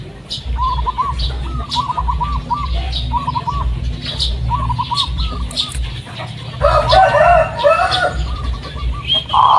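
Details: Local Blorok Madu zebra dove song used as a lure for other doves; several fainter repeated trilling coo phrases, then a louder bubbling, stuttering coo burst near the end, over a steady low hum.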